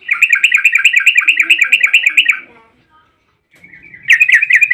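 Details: A fast 'ropel panjang' burst from a yellow-vented bulbul, a lure meant to set other bulbuls singing: tightly packed bubbly notes for over two seconds, a short silence, then the rapid chatter resumes.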